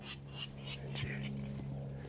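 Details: Virginia rail in a marsh by a lake in Arizona in spring gives a quick series of rough, pig-like grunting notes, about three per second, over a steady low hum.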